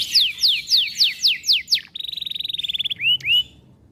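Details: Canary song phrase: a row of loud downward-slurred whistles about every quarter second, then a fast buzzy trill of tightly packed notes and two upward-curving whistles, clean and loud over silence.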